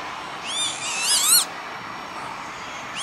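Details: Northern lapwing calling on industrial ground near Veenendaal, Netherlands, spring 2013: one long, strained call that climbs in pitch and then breaks off, followed by quiet and the start of another call at the end.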